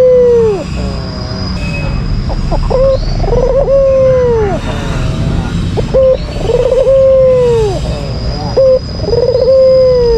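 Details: A white albino Barbary dove gives lure calls aimed at angering a rival. It delivers a sequence of short notes and rolling, burred coos with long falling tails, about three to four phrases, over background hum and faint noise.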